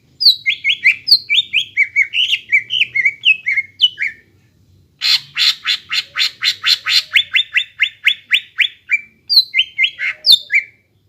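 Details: ['A greater green leafbird singing steadily as a vocal tutor for untrained young birds: a run of downslurred whistles, a brief gap, then a rapid string of harsh, buzzy repeated notes and more slurred whistles.']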